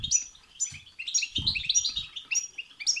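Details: Rapid European goldfinch song used to rouse a goldfinch to sing: jingling, buzzy twitters and high piercing notes in a steady stream, with soft low thuds between phrases.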